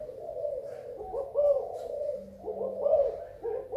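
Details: Spotted dove from Thailand, recorded 24 February 2019, giving soft low cooing phrases, several rolling coos repeated in overlapping series, with a faint steady hum underneath.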